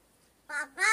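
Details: Crow that talks like a person, copying words like baba, kaka and hatt: a pause, then two rasping harmonic syllables, the first rising slightly and the second stronger, with a quiet room behind.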